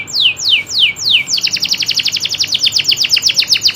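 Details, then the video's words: Local canary singing four slow descending whistles followed by a fast, rolling trill of short, bright repeated notes. "kenari loper suara asli nembak ngerolll"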